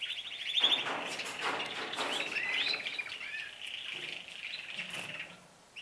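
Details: Canaries singing more and longer as the season begins; a continuous blend of fast trills and warbling from several birds at moderate volume, steady throughout.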